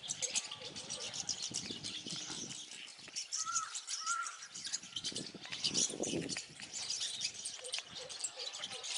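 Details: Rosy starlings, migrants to India from Europe, calling while eating banana: dense, scratchy high chattering and squeaky notes overlapping continuously, with a few clearer whistled notes in the middle and some low background rumble.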